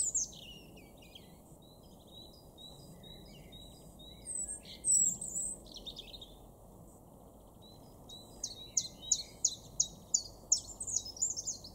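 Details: Garden chiffchaff in Weener, East Frisia, northwestern Germany, April: the first part holds scattered high twitters from other birds, then the chiffchaff's even series of clipped, high, falling notes begins and continues at a quick, regular pace.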